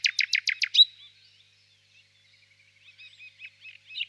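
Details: Five powerful rapid notes and a bright whistle from a nightingale, followed by near silence and a quieter string of delicate twittering notes rising again at the end.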